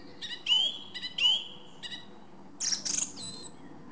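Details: Song thrush (Turdus philomelos) singing: a clear phrase given twice with a falling tail, then a buzzy, rattling high note sequence and a thin whistle, over quiet background.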